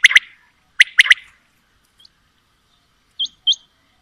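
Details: Quail calls, male and female mixed: two sharp three-note phrases at the start, a silence, then two short high thin chirps near the end.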